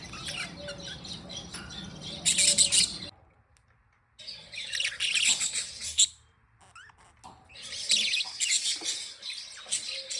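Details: Budgies, happy and playing, warble in three loud bursts of high scratchy chirps and squeaks, separated by short near-silent gaps, over a faint low hum.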